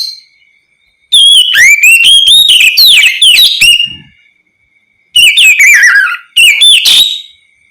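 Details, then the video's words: Oriental magpie-robin (kacer) singing ngeplong, used to coax other magpie-robins into calling back: a three-second phrase of rapid varied whistles, a pause, then two shorter bright phrases. "Terapi suara Kacer ngeplong untuk pancingan Kacer apapun agar ikut bunyi nyaut gacor"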